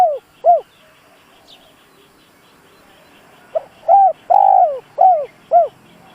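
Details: Spotted dove kept as a decoy to provoke wild birds, calling in mellow, hollow coos: a phrase's tail, a pause, then a full run of five notes with a long slurred middle coo; faint steady chirping behind.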